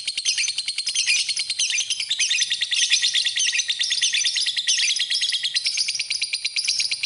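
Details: Lovebird singing as a master-tutor recording: a continuous dense stream of rapid high chirps and twitters, packed chatter with no pauses, steady loudness throughout.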